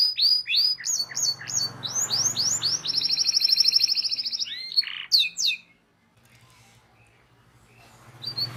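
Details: Canary singing a long, energetic rolling song used as a tutor for young canaries: rapid repeated upswept chirps, then a long buzzy trill of fast pulses, more chirps, a short pause, with a low hum in the background.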